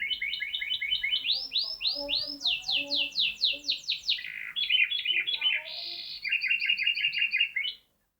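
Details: A caged canary's odd song: quick paired chips, then sweeping repeated upslurs, a drawn-out metallic buzz, and closing fast chattered trills before silence.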